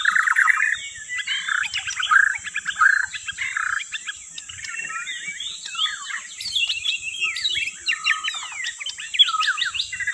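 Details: Dense, continuous white-rumped shama song used as a lure: rapid stuttering notes flowing into busy twittering and scratchy chirps, full and unbroken, over a constant high-pitched tone.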